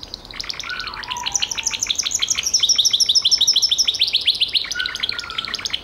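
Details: High, fast rolling trill from a Gloster canary, with short sliding notes mixed in and a steady run of repeated chips at the center of the phrase.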